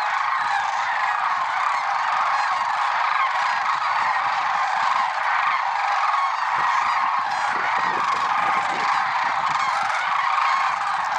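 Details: Dawn chorus of lesser sandhill cranes, Merced National Wildlife Refuge, February 6, 2023: many birds trumpet together in a steady, crowded din of rolling, honking notes with no silent gaps.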